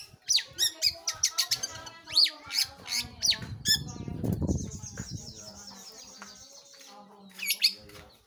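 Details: Long-tailed shrike, locally called pentet or cendet, singing actively: a run of harsh, buzzy notes sweeping up and down, then a sustained raspy chatter, with a low rumble and a flutter midway.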